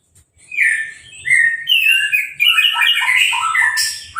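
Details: Caged Orange-headed thrush singing after its moult and a hose-spray bath, no cage cover; continuous rich warbling of varied whistled and chattering notes, loud and fast throughout.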